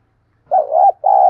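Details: Spotted dove giving one brief, low coo phrase, a fighting-provocation lure for wild doves: a wavering first syllable, then a sustained steady coo that ends with a sharp click.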